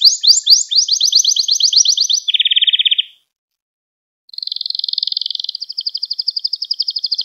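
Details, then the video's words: Gloster canary song used for training and exciting young canaries: a rapid rising trill, a lower buzzy roll, a second of silence, then a long even high trill. "Gloster Kanarya Sesi Ve Ötüşü | Kanarya Huylandırma | Kanarya Kızıştırma"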